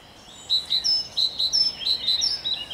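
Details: Great tit singing on 7 June 2021, with a blackcap in the same recording: a fast run of high, clear notes alternating between a lower and a higher pitch, repeated steadily for about two seconds over quiet background hiss.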